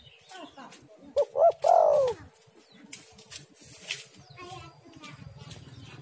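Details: Spotted dove female lure call: one clear phrase of two quick clipped notes leading into a drawn-out, slightly descending coo. Softer background noises and faint chirps continue afterwards.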